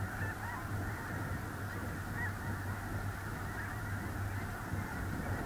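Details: Early November 2021 on a small lake in central North Dakota, a large snow goose flock keeps up a ceaseless chatter of short, nasal, yelping honks layered thickly together, with wind rumble underneath.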